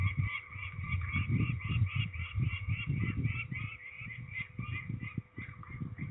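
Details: Peregrine falcons during ringing at Trzebież, Poland, 13 May 2019: a steady series of harsh, nasal, rapidly repeated calls over loud low rumbling handling and wind noise.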